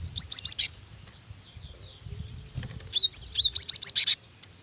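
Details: Female cinereous tit calling a male with rapid calls: quick runs of sharp, high chirps, four at the start and about eight at the end, separated by a quiet gap with faint twittering and low background noise.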